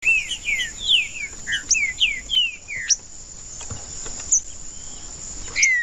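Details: Green-winged saltator (trinca-ferro) singing 'macheando', used to warm up other birds for singing: a run of clear, slurred whistled notes, mostly falling, in quick phrases, then scattered single notes over a steady high insect hum.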